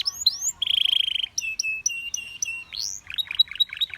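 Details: Belgian canary song with other canaries singing. Rising sweeps and a buzzy roll are followed by evenly repeated clear notes, then choppy rapid phrases.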